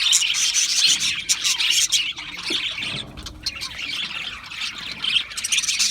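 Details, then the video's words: Flock chatter of Australian parrots: fast, overlapping chirps and squeaky warbles, briefly thinning around the second and third seconds before the busy twittering resumes. "Beautiful Australian Parrots Chirping sounds beautiful Parrots Sounds"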